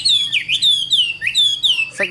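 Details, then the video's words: A caged Chinese hwamei, known for singing on while its cage is carried, gives loud, pure, slurred whistles in long phrases that swoop down then rise, repeated about every half second. "HÓT NHƯ MÁY - SÁCH LỒNG VẪN HÓT"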